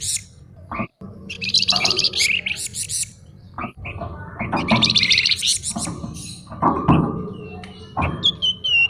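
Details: Energetic flamboyan songbird song in mixed style: dense buzzy, scratchy bursts alternating with chirps and short whistles, broken by brief pauses, with a steady low background hum.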